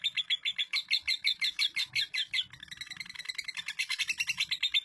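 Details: Female lovebird kept in an East Lampung, Indonesia collection, singing 'durasi' style: strong evenly spaced shrill chirps, then a switch to a faster, denser twittering chatter that keeps going.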